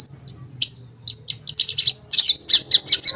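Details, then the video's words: Long-tailed shrike singing, played to coax silent shrikes into song: quick high chirps and ticking notes, spaced at first, then tumbling faster into a rapid chattering run with a few downslurred whistles. "Pancingan Cendet Ampuh, Pancingan Cendet Bahan Atau Macet Bunyi, Cendet Macet Akan Ikut Bunyi"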